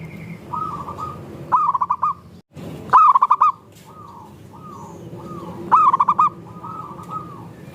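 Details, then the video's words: Zebra doves of local and Bangkok stock calling as a lure to make other doves sing. Three loud pulsed coo phrases are interspersed with several quieter, separate coos from other birds, and the sound briefly cuts out. "Perkutut Lokal Gacor – Pancingan Ampuh Bikin Langsung Bunyi"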